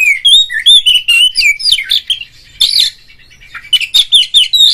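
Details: Oriental magpie-robin giving ngeplong, ngobra, gacor song to encourage other magpie-robins to sing: a dense, continuous stream of bright whistles, trills and scratchy twitters, briefly pausing near the middle before resuming.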